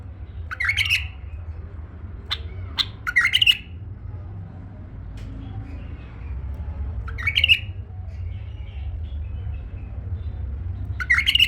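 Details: Pet male bulbul, tame, giving short bright warbled bursts and a couple of clipped chirps, phrases spread irregularly through the stretch with a steady low hum indoors.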